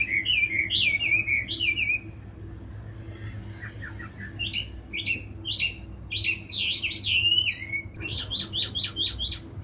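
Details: Chinese hwamei singing loud, rich whistled phrases that slur up and down, with a brief quieter pause mid-way before fast repeated notes and warbling runs resume; a steady low electrical hum continues underneath.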